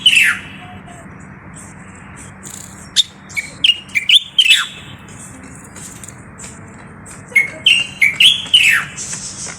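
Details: Common bulbul from Morocco singing scattered whistled phrases with steep downward slurs, separated by pauses, over a steady low background hum.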